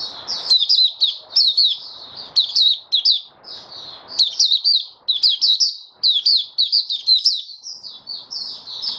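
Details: Kept white-eye stabilizing its opening song on 08012022: extended high, rapid twittering of slurred chirps and sharp accents in closely spaced bursts, with faint low rustling between phrases.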